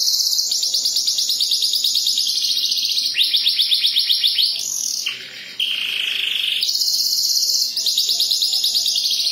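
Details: Pet canary in sustained song: long high buzzing trills and rolls, a brief lower warbled passage midway, then resuming with rapid repeated high chirping trills.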